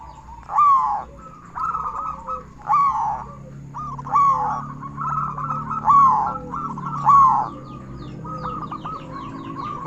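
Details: Local zebra dove with a loud voice, used to make other zebra doves sing. Rising, slurred cooing phrases come about every second and a half over a steady bed of softer cooing, with a low hum beneath.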